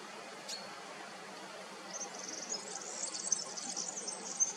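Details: Black redstart from the Plasencia district of northern Extremadura, Spain, recorded with a Nikon Coolpix P1000: one thin high note, a pause, then a quiet, grating, crackly high strain that builds over the last half of the recording.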